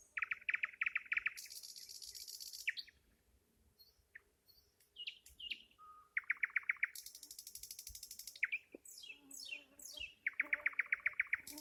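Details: Nightingale in full song, with loud, rapidly repeated throbbing notes, bursts of high buzzy rattles, single pure whistles and fast trills, alternating with brief pauses in a rich, varied sequence.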